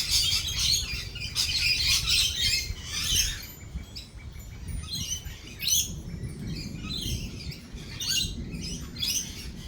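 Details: A noisy flock of lorikeets screeches through a thunderstorm: loud, grating bursts packed in the first few seconds, then spaced harsh squawks, with low rumbling thunder below.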